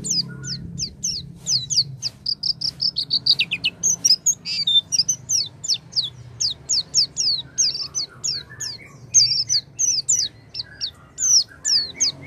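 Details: Lure song of an Oriental white-eye for encouraging a silent bird to sing: a long, lively stream of high, thin, descending whistled notes delivered almost continuously, with a brief buzzy trill near the start and low hum behind.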